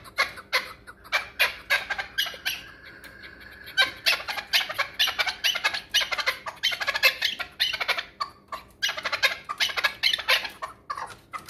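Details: Chukar partridge, a hunting partridge from the Pamirs, giving a long run of loud, harsh chuk notes that repeat rapidly and overlap in places, with short pauses between bursts; no other sounds stand out.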